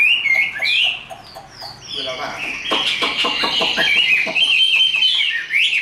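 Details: Caged Chinese hwamei singing its fighting song: high whistled slurs followed by a fast stuttering series of clicks and chatters, varied and loud.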